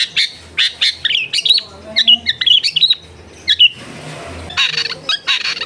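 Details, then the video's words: Long-tailed shrike song from a tutor recording meant to get a silent caged shrike singing: quick run of harsh, scratchy chirps and squawky high notes in bursts, a brief pause, then a dense buzzy burst; faint low rumble beneath. "MASTERAN ANTI GAGAL SUARA JERNIH CENDET MACET BIAR CEPAT BUNYI"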